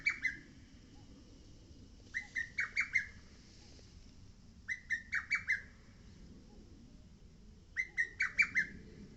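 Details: Lesser cuckoo on Mount Oike repeating its song, four phrases of four to five rapid, emphatic whistled notes, one phrase every two to three seconds, over a soft low rumble.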